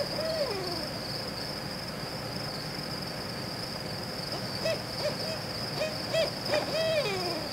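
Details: Barred owl calling: a series of wavering, rising-and-falling hoots and cackling notes toward the end, over steady insect drone and low traffic rumble.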